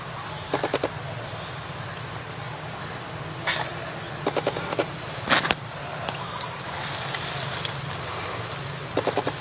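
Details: Blood-breasted flowerpecker in the wild in mountains, giving short bursts of sharp, dry ticking notes every second or two over a steady low engine-like hum.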